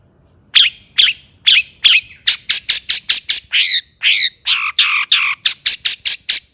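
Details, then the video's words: Harsh, excited singing from a long-tailed shrike, played to provoke rival shrikes: loud rasping squawks, first spaced, then quickening into a dense series of short grating notes, some longer and buzzier, in a quiet background. "burung cendet gacor EMOSI AMPUH untuk PANCINGAN CENDET AGAR BUNYI"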